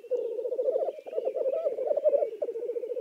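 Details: Black grouse of Lithuania keeps up a dense, cooing bubbling of rapid pulsed notes in gentle waves, with a faint whistled note and soft high twitter behind.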